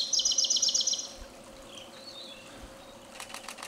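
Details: A Siberian blue robin in Japan in spring, a summer visitor breeding there, sings to claim territory and attract a mate: a fast, loud burst of about nine sharp, high notes, then fainter thin whistles and soft clicks.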